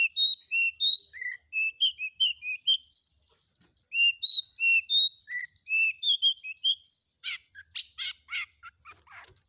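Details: Long-tailed shrike in a combination 'isian' training recording: clear whistled notes at shifting pitches in a varied, mimic-like sequence, ending in harsher buzzy rapid notes.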